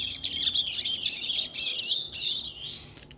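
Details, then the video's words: A two-month-old chestnut-bellied seed finch chick learning to sing, at a fast pace: a continuous jumble of high twittering and warbled notes with short buzzy bursts, running almost without pause for three seconds. "2 MESES E JÁ CANTA MUITO - CURIÓ FILHOTE APRENDENDO A CANTAR EM RITMO ACELERADO"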